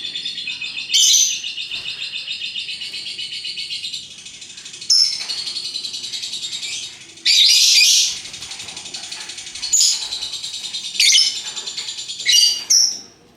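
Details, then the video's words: Vigorous ngekek from colourful lovebirds: continuous high, rapid, buzzy chatter throughout, broken every second or two by louder, shrill squawking bursts. "Burung Lovebird Rupa Rupa Warnanya, Burung Paruh Bengkok, Bunyi Ngekek Gacor"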